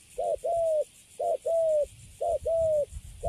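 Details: Caged wild-caught spotted dove cooing well; three low paired coos, each a brief hoot followed by a drawn-out slightly falling note, evenly spaced roughly a second apart, faint background hiss.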